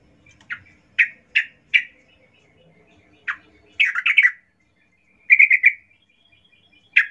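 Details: Yellow-vented bulbul singing angrily at a rival, with single sharp chirps spaced unevenly, then a cluster of tumbling, varied notes and a short rapid chatter, over a quiet background.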